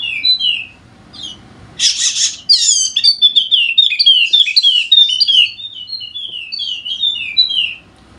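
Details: Golden-headed Wallacean white-eye from Sumbawa giving a busy, rapid twittering song of high slurred notes, broken by a loud noisy hiss near the start; meant to spur lazy white-eyes into song.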